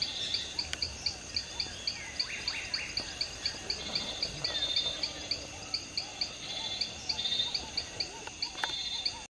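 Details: Masked tanager (Tangara nigrocincta) at Fazenda Experimental Catuaba, Senador Guiomard, Acre, Brazil, in December 2013, giving thin, high chips in a quick, steady series over a constant insect hum.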